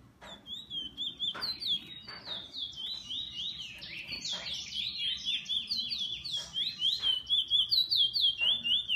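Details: A pet bullfinch delivers a continuous high, twittering song of quick rising-and-falling trilled notes. The song grows louder and more pulsed toward the end, over low background hum.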